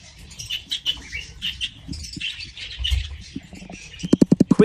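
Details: Budgerigars in a breeding aviary, with eggs and young chicks in the nest box, chatter in a busy stream of scratchy warbles and chirps, ending in a burst of rapid tapping.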